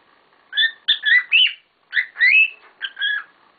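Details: Kept cockatiels calling: two tight clusters of scratchy chirps, some notes sliding upward into a rising whistle, separated by a short silence.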